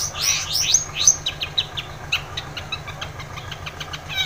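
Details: Long-tailed shrike singing, used to trigger a silent shrike into song: a fast run of sharp, high chirps and descending whistled notes, roughly three per second, over a low engine hum.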